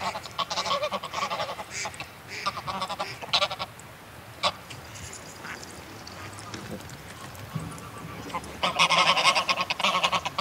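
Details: Greylag goose flock, excitable calls and wing-flaps close up, possibly with a distant mallard; scattered honks and flapping bursts over a steady background hiss, with a loud honking outburst near the end.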